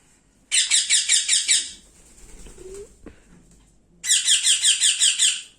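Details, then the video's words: Baby rose-ringed parakeet begging while being hand-fed: harsh raspy pulsed squeaks, about six per second, in two bursts separated by a quieter pause with faint handling sounds. "baby ringneck parrot feeding"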